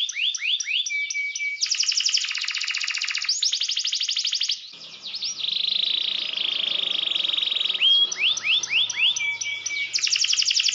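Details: Canary song to provoke rivals: upturned whistles and flat tones, dense high rattles, a long buzzy trill, then falling sweeps and rattles again; a faint low background noise under the middle section.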